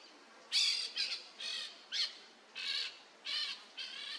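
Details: Peach-fronted parakeet, known in Portuguese as jandaia-coquinho, atop a tree in Brazil: a series of grating, scratchy squawks about every half second, harsh and buzzy, with no other clear sounds.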